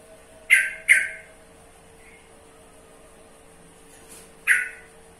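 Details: Yellow-vented bulbul calling with a quick double squawk, a faint soft note, then another loud rasping chack after a pause of several seconds, over a constant faint hum.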